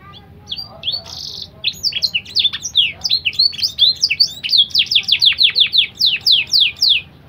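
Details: Singing canary, a BBSF and Berner cross, its song filled with blackthroat phrases and offered as a tutor for young birds: a brief buzzy note, then rapid varied chirps building into a fast run of descending whistled sweeps, about three per second.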